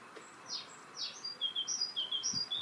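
Great Tit song: two high downslurred notes, then a quick run of short, bright, high whistles, with other small birds possibly chiming in.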